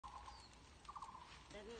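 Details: A Taiwan barbet in a tea garden, calling all day, gives short runs of hollow, knocking notes, like a wooden temple block, in quick bursts; a faint lower tone slides in near the end.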